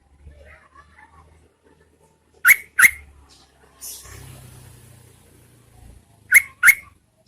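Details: Yellow-vented bulbul female calling to lure males in rainy season: crisp bubbly notes in two close pairs, with a low rumble and a hissing noise between them.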